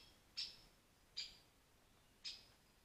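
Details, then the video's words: Rare pied flycatcher near a forest pond in Wales: three sharp, high, clicking notes spaced roughly a second apart over a quiet, still background. "rare pied fly catcher in the forest pond"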